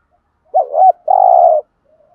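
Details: Spotted dove decoy bird in 'thúc gù' urging coo style: one low phrase of a quick wavering double note followed by a sustained, slightly burry coo about half a second long, then silence.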